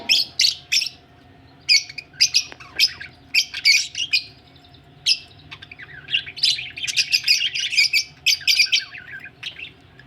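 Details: Budgerigars ready for laying eggs give lively chatter: clusters of sharp, high scratchy chirps and squeaks in quick bursts, separated by short pauses, with a longer, busier warbling run near the end.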